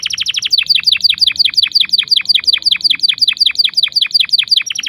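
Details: Canary singing steadily, a training song for young canaries: a rapid, regular series of sharp down-slurred chirps, close to three per second, throughout.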